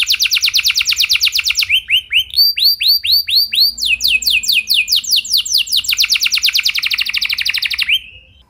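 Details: Singing canary, recorded for training other canaries: quick descending trill, a low rising slur, a run of arched whistles, then a long, rapid, bright trill that fades out at the end.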